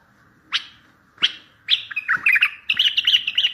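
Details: Bulbul song meant to answer distant bulbuls and lure them for trapping. Two sharp rising notes open it, then a tumbling run of chattering, warbled phrases follows over a faint low background hum.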